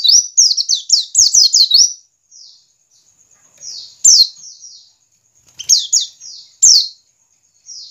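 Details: White-eye in the ngiriwik song style, used as a lure to get caged white-eyes singing; bursts of high, thin, descending chirps in quick runs, then sparse faint twitters and short pauses.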